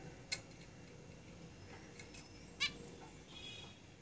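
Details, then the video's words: Caged zebra finches: two brief, bright nasal calls, at the start and just past the middle, with faint clicks and soft rustles between them. "Zebra Finches Singing in the cage"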